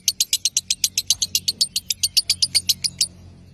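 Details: Lovebird chattering meant to draw out a rival's ngekek: a brisk series of clipped high chirps, some louder and ringing, stopping abruptly after three seconds.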